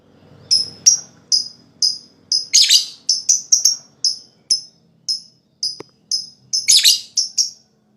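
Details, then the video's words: Lovebird calling to stimulate other lovebirds to sing: steady bright chirps repeated about twice a second, broken by a few harsher, buzzy outbursts. "Suara LoveBird Terapi,Rangsang Lawan Cepat Ngekek,LoveBird Ngekek Gacor"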